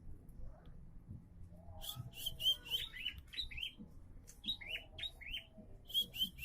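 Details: Bar-winged prinia beginning to sing diligently: bursts of sharp, rapid chirps, each a quick high note dropping in pitch, delivered in quick runs of three to five with short pauses, over a low background rumble.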